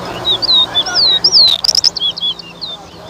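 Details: Towa towa singing in a bird whistling competition at Better Hope, Guyana: rapid, clear, high whistled slurs, many rising then falling, strung together at a brisk, uneven pace, with a short burst of clicks midway and low crowd noise underneath.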